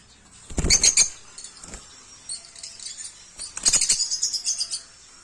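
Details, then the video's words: Captive peach-faced lovebirds, including green and lutino varieties, kept in aviculture in Kovalam. Shrill, very high chirping comes in two dense bursts near the start and middle, mixed with sharp clattering rattles and scattered softer chirps between. "Birds of sounds/African love birds/peach face love birds"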